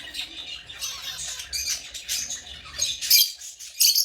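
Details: Steady shrill chatter of African lovebirds, rasping chirps running together and ending in a few louder, piercing squawks.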